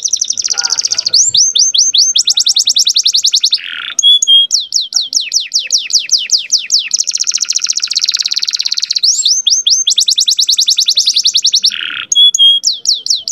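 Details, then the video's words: Young canary in full varied song, meant to make hens come into breeding condition and to train young birds. Long fast trills and rolling buzzes alternate with downslurred whistles and brief lower buzzy phrases, with no pause. "MASTERAN KENARI MUDA GACOR ISIAN DAN BIKIN EMOSI - pancing kenari betina agar cepat birahi"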